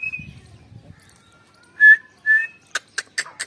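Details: Female grey francolin, 29 November 2022: two loud whistled notes after a soft sustained whistle, followed by four sharp clicking taps.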